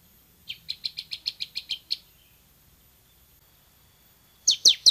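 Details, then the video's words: Bar-winged prinia in an actively singing training recording: a rapid run of eight thin, high chirps lasting about a second and a half, silence, then three louder, sharper downslurred notes. "MASTERAN CIBLEK SEMI GACOR VOLUME TEMBUS"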